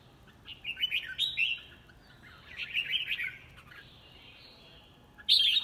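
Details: Red-whiskered bulbul in competitive fighting song gives two bursts of bright, warbling phrases about two seconds apart, then a sudden loud, chirpy note at the end.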